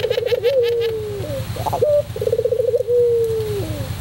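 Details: Singing white puter pelung dove from a tutor recording: two rolling, bubbling coo phrases, each stretching into a smooth, slowly falling note. A short chirp burst from another bird opens the recording, and a low hum persists.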